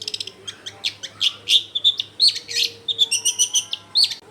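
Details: Long-tailed shrike singing vigorously as a lure to set other shrikes singing, recorded at a home in a crowded neighbourhood: rapid, scratchy chirps and short whistled notes in a fast, irregular stream, with a steady low hum beneath.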